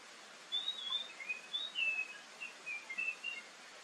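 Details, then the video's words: Oriental magpie-robin song used to lure other birds into answering, morning and evening: soft, scattered whistled phrases and chirps, fairly faint against constant hiss. "SUARA PANCINGAN KACER PAGI-SORE"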